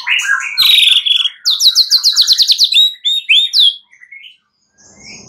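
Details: White-rumped shama night lure song to prompt singing: a harsh high buzzy opening, then a fast rhythmic series of about fifteen sharp repeated high notes, fading into softer scattered calls.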